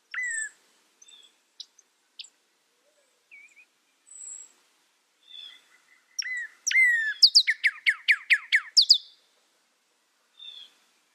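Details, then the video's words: Northern cardinal, with scattered short chirps and a soft whistle at first, then two slurred whistles and a rapid, loud string of about ten steep downslurred notes, then a last faint chirp. "SOUND CARDINAL NORTHERN BIRD"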